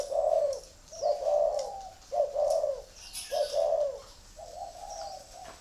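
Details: Coos of a red-eyed spotted dove in the "thổ" song style, five hoarse rounded notes repeated about once a second, the last one softer and flatter, with light background clicks.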